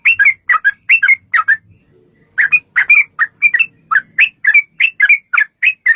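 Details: Yellow-vented bulbul singing a long rapid song meant to make other bulbuls reply: a burst of bubbly chirps, a pause of under a second with faint low sound, then resumed quick warbled notes in steady clusters.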